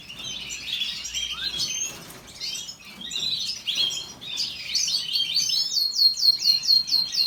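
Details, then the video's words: A canary sings a long, bright run of warbles and trills, ending in fast repeated chirping notes, high-pitched and continuous. "Canary song تغريد الكناري کەناری"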